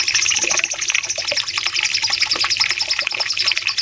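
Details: Bulbul, known locally as cucak cungkok, on a masteran training recording for caged birds, singing a long 'nembak panjang' run: rapid high chattering notes with a continuous thin trill line over busy clicks and faint water-like noise.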